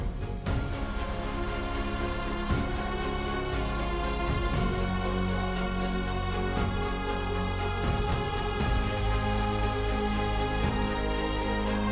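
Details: Sustained instrumental music with steady low tones and soft percussive hits throughout, and no animal voices audible.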